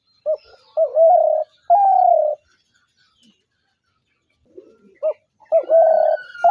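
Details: Spotted dove cooing: a short note, then two drawn-out level coos, a pause of silence, and the same pattern starting again.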